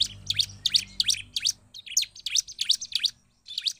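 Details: Lively bar-winged prinia song played to rouse other prinias: fast bright chirps sweeping sharply downward, delivered in quick runs with a brief pause midway, faint low hum beneath.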